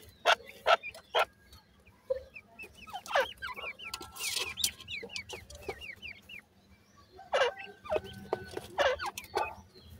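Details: Francolin chicks feed with runs of high, slurred peeps, many sharp pecking clicks and a brief loud hissing rustle in the middle.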